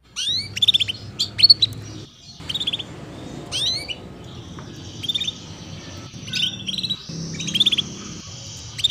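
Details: Female canary 'cuit cuit' chirping, used to coax young canaries into early song: repeated upswept chirps and short rattling trills in bursts every second or two, over a low hum.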